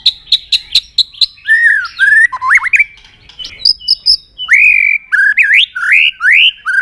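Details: Provoked white-rumped shama singing its fighting song, tail flicking on its perch, during competitive song training. It opens with six evenly spaced sharp high notes, then gives rich whistled slurs and rising, looping phrases.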